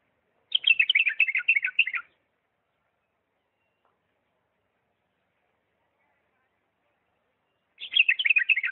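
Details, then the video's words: Bulbul from Diyala singing in the refined "lisanat" style: two rapid bursts of jumbled, chattering warbled notes, each about a second and a half long, separated by about six seconds of silence. "اجمل تغريد بلبل ديالى طور لسانات راقيه"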